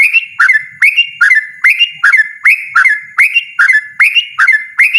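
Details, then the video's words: Yellow-vented bulbul in loud, persistent 'ropel' song: bright, slurred, bubbling notes rising and dipping, repeated rhythmically in a continuous stream. "burung trucukan ropel ngotot suara lantang"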